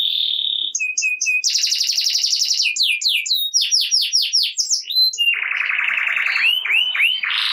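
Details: Energetic ngerek canary, used to spark song in quiet birds: steady whistle, bright chirps, a fast high trill, a series of descending slurred notes, then a buzzy trill with looping swoops.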